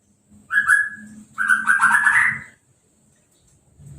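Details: Caged Orange-headed thrush after moult and a hose-spray bath; a short whistled note followed by a warbled phrase, with a low hum beneath.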